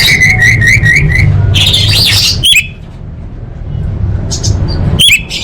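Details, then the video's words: Female orange-headed thrush calling to males, used to prompt silent birds: a quick string of level whistled notes, a harsh buzzy burst, then two sharp isolated chirps separated by quiet, over low hum. "Suara Anis Merah Betina Gacor Untuk Memancing Burung Macet Bunyi"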